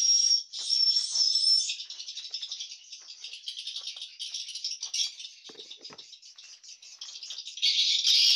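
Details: Many swiftlets inside the nesting and hatching room of a swiftlet house give dense, high, buzzy chirps and dry rattling clicks, overlapping. A thin steady whistle runs through the first second and a half.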